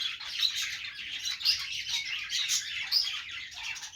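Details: Pet budgerigars making happy noises: dense, continuous high warbling chatter with rapid chirps and sharp squeaky notes, swelling and fading every second or so without a break.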